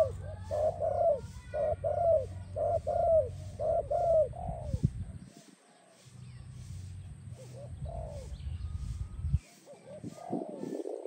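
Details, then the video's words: Spotted dove song meant for training and attracting doves, with mellow coos repeated in close groups for about five seconds, then a lull and quieter, scattered coos later, under a constant low hum. "Sound Dove Training, Spotted Dove animal singing sound. Attractive sound"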